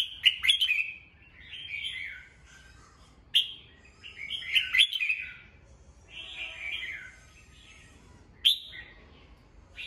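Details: Morning song of a captive red-whiskered bulbul, used to train and excite other birds. Loud bursts of rich, chattering warbles alternate with quieter, slurred phrases, with brief pauses of one to two seconds between groups.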